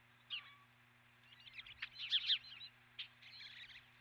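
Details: At a nest camera, an osprey gives a run of chattering slurred chirps building to loud peaks, then further scratchy calls, with an unbroken low electrical hum throughout.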